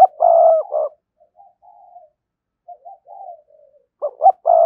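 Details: Spotted dove cooing as a lure for wild doves: a loud, low multi-note coo phrase opens, soft mellow notes drift through the middle, and another loud phrase returns at the end.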